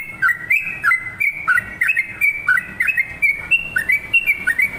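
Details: Yellow-vented bulbul singing actively: a steady run of short, bubbly whistled phrases, each a quick dip-and-rise figure, about one phrase every half second, clear over faint low background hum.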